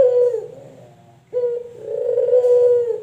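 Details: Male puter (collared dove), local or white variety: the fading end of one coo, then a short opening note and a long, swelling, rolling coo over a low background hum.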